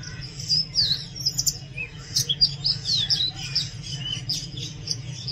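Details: Oriental magpie-robin song, loud and varied: sharp whistled notes and quick slurred chirps in irregular bursts, some bright downward slides, with a steady low hum underneath throughout.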